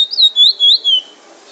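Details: Bullfinch in Trinidad singing a drawl and wheet drawl: four clear, slurred whistled phrases at high pitch, each gently rising then falling, delivered over about one second, followed by quiet.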